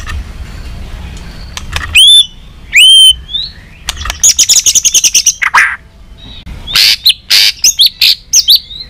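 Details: White-rumped shama's competitive multi-voiced song with tail flicking: a couple of high upslurred whistles, then a rapid buzzy trill of clicks, a pause, and further bursts of sharp high notes.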